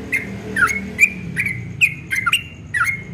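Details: Rapid 'ropel' dawn song of a yellow-vented bulbul, called very melodious: about three seconds of quick, liquid notes, several dipping then climbing, given in tight clusters with almost no pause, light low rumble underneath.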